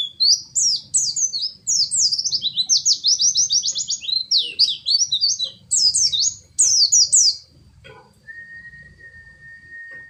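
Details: Oriental white-eye singing an elaborate 'isian' filled-in song, rapid high chattering and twittering notes in fast trills and slurs, breaking off after about seven seconds and followed by a steady thin whistling tone.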